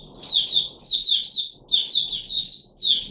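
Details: Puteh Raja red-whiskered bulbul, kept bird given special fruit juice and one mealworm, recorded 13 April 2021. It delivers rapid, loud, bright slurred whistles in tight groups of three or four notes with brief gaps.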